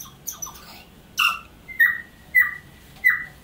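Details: Native New Zealand tui delivering a song of clear, ringing notes that slide downward, repeated four times at roughly one-second intervals after a few softer high whistles and a harsh wheezy note.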